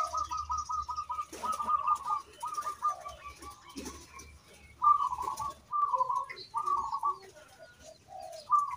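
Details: Zebra dove of a local strain, singing vigorously to draw other doves into song. Short, bubbling trilled coos come in separate bursts about once a second, with lower mellow notes after some bursts and light background rustling.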